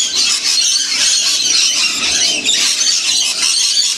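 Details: Huge flock of wild lorikeets eating seeds and honeyed bread in the Blue Mountains during winter; overlapping shrill squeals and screeches crowd together continuously, swelling in two louder waves.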